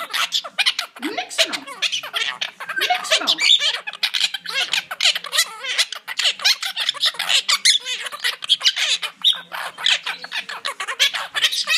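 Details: Two monk parakeets in their cage produce nearly continuous, rapid, grating chatter. Hundreds of short squawks and squeaks blur together, with occasional louder harsh notes standing out.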